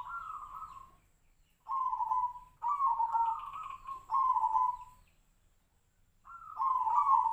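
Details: Perkutut, or zebra dove, of the Tejoanom type, singing in a monotone half-beat cadence: rolling, purring coos in bursts of one to two seconds, several linked together, separated by short silences.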